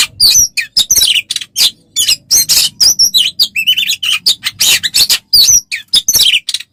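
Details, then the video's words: Oriental magpie-robin singing a rapid, loud, varied song for a songbird-training tutor recording: sharp whistles, buzzy rasps and quick chattering notes in close succession. "Masteran untuk burung Kacer"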